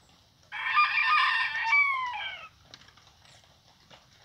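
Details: Rooster crowing: a loud two-second harmonic crow that starts abruptly, holds steady, then ends in a short falling tail, followed by quiet background rustle.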